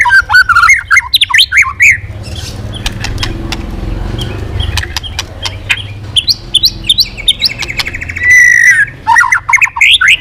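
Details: White-rumped shama back in song after a silent spell: quick, varied whistled and chattering phrases at the start and end, with a long stretch of clicks and rustling noise between.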